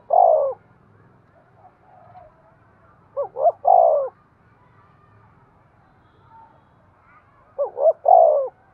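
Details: Spotted dove coo meant to stimulate breeding; one drawn-out coo, then two clipped notes and a longer falling coo, repeated after a quiet pause, clean and close.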